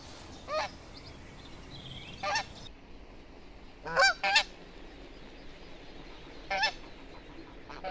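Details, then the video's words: A Canada goose recorded in the wild gives loud, nasal honks, single and in quick doubled pairs, spaced a second or two apart over a soft background hiss. "Canada Goose Sound"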